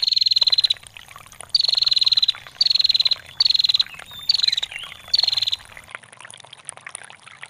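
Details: Female bar-winged prinia, a long ngetir call for training songbirds, with trickling water: six short high buzzy trills, each about half a second to a second long and slightly falling, repeated every second or so over a steady water patter.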